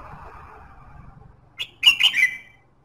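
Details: Short red-whiskered bulbul phrase meant to stimulate singing: a lone clipped note followed by three fast, rich warbled syllables, with a soft murmur of background noise beforehand.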